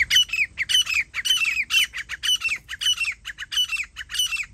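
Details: Grey francolin, teetar, recorded during partridge hunting; loud harsh repeated notes in quick pairs, a steady chanting call about twice a second throughout, no other sounds.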